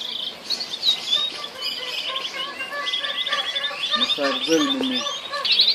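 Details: Orange canaries kept in Al Abdali, Kuwait, singing together: a dense chorus of fast, chattering warbles and rolling trills. Lower, buzzy notes come in near the end.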